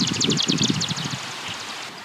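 A Marsh Grassbird's flight song: a rapid run of high, dry, stuttering notes that fades after about a second, over low rumbling wind and rustling.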